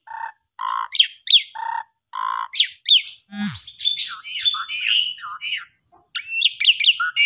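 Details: Asian pied starling singing to stimulate silent or sulking birds: a run of buzzy, nasal two-part notes, then rapid descending chirps and harsh squawks over thin steady high tones.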